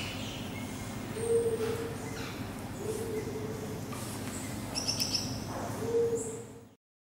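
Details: A Sunbittern (Eurypyga helias) gives three long, clear, mournful whistles on one low pitch, each about half a second long and spaced roughly two seconds apart, with faint higher chirps behind.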